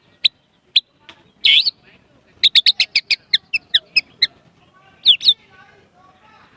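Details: Caged white-rumped shama singing with prinia imitations: sharp high chirps and short whistled notes, then a quick burst of about ten evenly spaced bright notes, with scattered pauses and faint background murmur.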